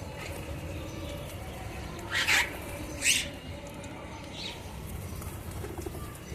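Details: Birds chirping at home in the early morning during feeding: two loud sharp chirps near two and three seconds, a fainter one near four and a half seconds, over steady low background noise.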